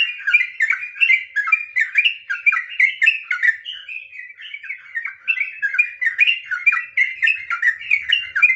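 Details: Long unbroken ngropel song of a sooty-headed bulbul in fighting, emotional mood, meant to lure other trucukan into singing: rapid bubbly whistles rolling on for over eight seconds, with a slightly slower stretch midway.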